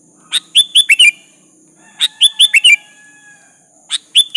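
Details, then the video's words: Sooty-headed bulbul in energetic song used to entice a rival to reply; two full phrases of five chirpy whistled notes and the start of a third, set against a steady thin background tone. "Suara burung kutilang gacor memanggil lawan pancingan kutilang agar nyaut"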